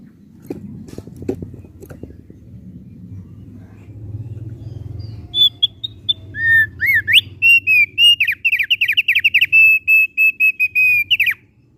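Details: Thick-billed heleia in full melodious song after several seconds of low rumbling noise: short rising whistles build into a rapid, sustained series of bright whistled notes on a steady pitch, closing with a falling slur.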